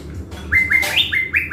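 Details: Caged decoy blue-winged leafbird from Bình Thuận, Vietnam, kept to provoke wild birds before a forest trip, singing a quick run of clear whistled notes that rise and hold at a steady pitch, with a few higher sliding notes mixed in. Faint low rumble beneath.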